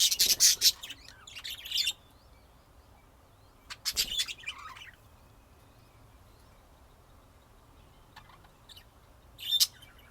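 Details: Budgerigars in Texas, USA, 2025: harsh, buzzy chirp bursts in the first two seconds, another short scratchy burst near four seconds, then mostly quiet before one last brief chirp.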